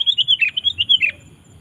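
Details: Sooty-headed bulbul song for calling wild bulbuls: a quick chain of about eight bubbly, rolling notes over one second, then quiet.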